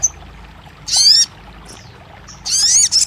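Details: Crested jay on a track meant to prompt a silent caged bird to sing: two short bursts of harsh, buzzy, descending harmonic notes about one and a half seconds apart, with faint chips between.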